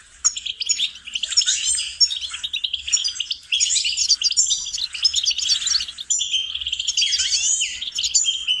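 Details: Goldfinch singing a continuous, rapid jumble of bright twittering notes, liquid trills and buzzy rattles, all high-pitched and unbroken.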